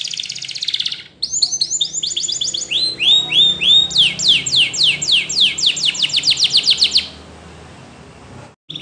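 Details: A Spanish Timbrado canary delivers a training song: a buzzy note, then a long accelerating series of loud sweeping downward whistles, about five per second, ending abruptly.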